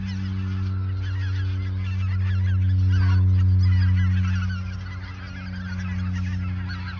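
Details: Geese in the Ochsenmoor nature reserve in autumn 2022, a few days before migrating south; many overlapping nasal honks from a flock over a loud, steady low rumble that swells midway.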